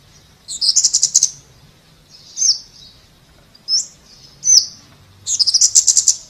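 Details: Scarlet-backed flowerpecker with a fast buzzy trill, then spaced single high zip notes, ending in another rapid ticking trill.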